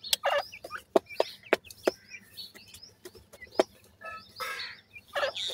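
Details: Francolin (teetar) chicks giving high, thin, curved peeps in loose bursts, mixed with sharp knocking clicks and a brief rasping sound near the end.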